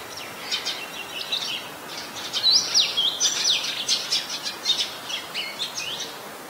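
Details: Red-whiskered Bulbul, an adult, at Ubon Ratchathani, Thailand, on 3 January 2021, giving a fast run of sharp, high chirping and twittering notes that builds in loudness through the middle, over faint outdoor noise.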